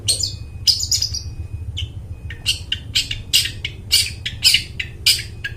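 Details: Long-tailed shrike singing clearly, intended for luring wild birds in the forest: fast run of harsh chattering and squeaky notes, some whistled slurs, delivered about twice per second over low background hum.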